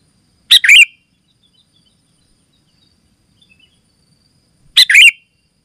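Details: Sooty-headed bulbul, singing lively to draw in other bulbuls and to serve as a tutor: a single short, bubbly whistled phrase, a long silence, then the same quick phrase repeated.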